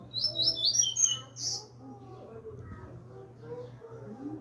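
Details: Young double-collared seedeater coming out of moult: a quick series of high, sweet twittering notes ending in a buzzy burst, then quieter low murmuring and a steady low hum.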